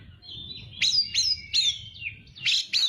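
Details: Oriental magpie-robin in full song, a tutor recording for young birds; loud sharp whistled notes, each swooping down after a high start, repeated about every half second after a softer warbled opening, with low background hum.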